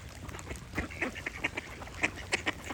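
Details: Sharp, loud duck quacks stand out in a string of separate hard bursts, spaced unevenly over under three seconds, with birds singing behind.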